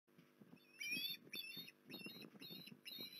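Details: Osprey at Port Lincoln, 19 January 2021: a run of five high, upslurred whistled notes in quick bursts, each rising sharply, over a low rustling, clattering background.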